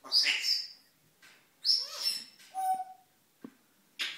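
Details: Morning self-talk from a male African grey parrot indoors: high squeaky whistles, a steady mid-pitched whistled note, clicks and a final raspy burst.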